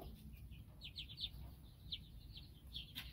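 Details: Young chickens from three broods hatched weeks apart give quick high downslurred peeps in bursts of two or three, over a low steady hum.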